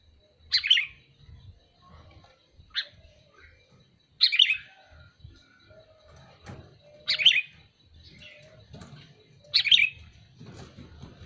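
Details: Repeated calls of a sooty-headed bulbul: five bright, harsh chirps spaced two to three seconds apart, with soft low rumbling between them.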